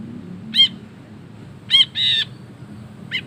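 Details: Ashy bulbul recorded for training songbirds. Two sharp nasal notes are followed by a longer drawn harsh note and a last short call, over a low rumbling hum.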